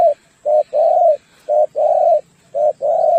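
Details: Spotted dove, called tekukur, singing as a lure bird for trapping and contests: loud, low, hollow coos in paired phrases, a short note followed by a longer rolling coo, repeated steadily with brief pauses, in a quiet setting.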